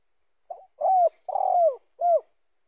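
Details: Spotted dove coo phrase used as a trapping lure: a faint short lead note, then a rounded coo, a long buzzy-edged coo and a final downward-sliding coo, all low and soft.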